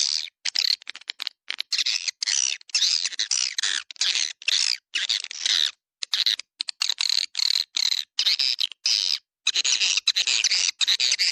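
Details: Swiftlet calling track, 'Dua Bidadari', played to draw swiftlets: bursts of shrill, rapid chirping and twitters in clustered runs, separated by short pauses.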